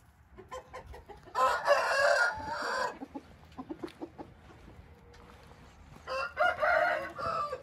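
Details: Hint rooster giving two harsh, grating crows about four seconds apart, the first roughly 1.5 seconds long, with light clucking and knocking sounds between them.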